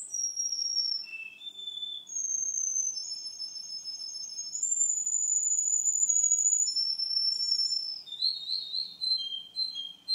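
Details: Male Russian canary singing, recorded two months after an earlier recording: long, pure whistled notes held steady at high pitch, shifting between levels, with brief rising slides, and a quicker run of short notes near the end.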